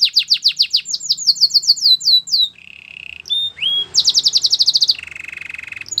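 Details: Rapid repeated falling whistles from a Belgian canary give way to a low buzzy rattle, a rising glide, a fast high trill and then a lower steady roll.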